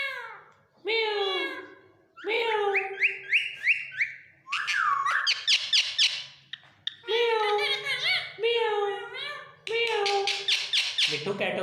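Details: Captive Indian ringneck parrot talking in Urdu/Hindi, mixing mimicked words with whistles: high, nasal syllables, rapid chattering bursts and a rising whistled note, in phrases separated by short pauses indoors.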